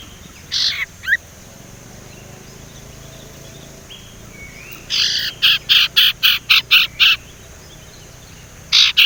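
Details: Young Sumatran leafbird, still raw, practising while learning to whistle: a couple of rough notes, then a rapid string of about eight harsh buzzy chips roughly three per second, one more chip at the end.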